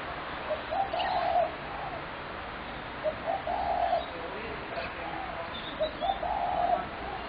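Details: Spotted dove calling, recorded 21 January 2017: soft, low hooting coos in uneven groups, a few rounded notes every couple of seconds, over a steady background hiss.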